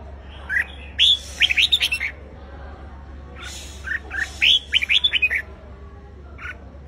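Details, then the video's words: Red-whiskered bulbul singing in competition to provoke a wild-caught bird, two rapid phrases of loud whistled chirps, each a run of six or seven notes, followed by a lone softer note near the end. "Chào Mào Hót Đấu - Kích Chào Mào Bổi Ra Âm Sổ Bọng Hót Đấu Căng Lửa - Chào Mào Hót Sáng Ché Căng"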